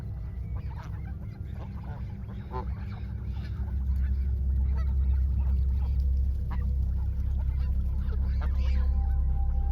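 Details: Wild Canada geese in Canada confronting a person as a flock; scattered short honks from several birds amid heavy low-frequency rumble that grows louder midway.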